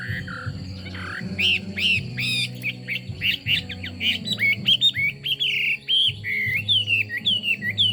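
A Chinese hwamei sings a rich, fast run of loud, varied whistles, slurred up and down, over a steady low background hum.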